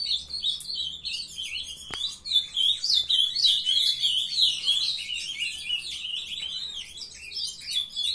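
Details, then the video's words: A brood of captive-raised ultramarine grosbeaks sings at length, a steady stream of high, rapid warbles and twitters with a single sharp click near the start. "filhotada de azulão mandando ver"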